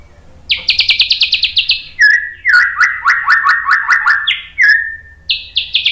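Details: White-rumped shama song meant to stir other birds into singing: a rapid burst of high repeated notes, then a run of rising slurred whistles, a clear descending note, and more fast high notes.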